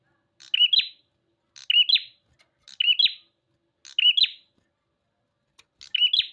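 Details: Bar-winged prinia, known locally as prenjak, giving a buzzy twisting phrase about once every second, five evenly spaced bursts in a quiet background.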